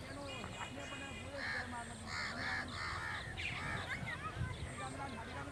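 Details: Crow giving harsh, hoarse caws in a quick cluster midway, with human speech and a low rumble throughout.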